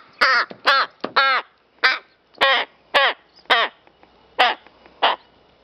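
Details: Playing rook with feather and flower calls repeatedly: three quick harsh caws, then a series of evenly spaced rasping caws, about ten in all.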